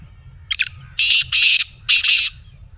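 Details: Black francolin call played to get a kept francolin calling: two brief high clicking notes, then three loud harsh, grating buzzy bursts in quick succession, with a low steady hum beneath.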